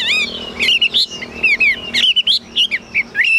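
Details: Chinese hwamei in captivity singing loud, sweeping slurred whistles, varied in pitch, broken by short pauses between phrases.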